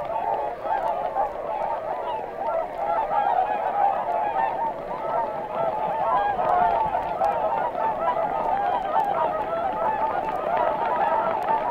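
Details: Whooper Swans massed at Matsalu, captured for a 1979 vinyl field recording; constant loud chorus of bugling, slightly wavering honks from many birds, layered and unbroken throughout.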